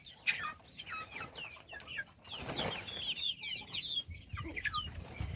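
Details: A group of chicks being fed gives bright, high-pitched peeps, quick downslurred and upswept notes crowding together, louder toward the middle, with low rustling and a few sharp knocks underneath.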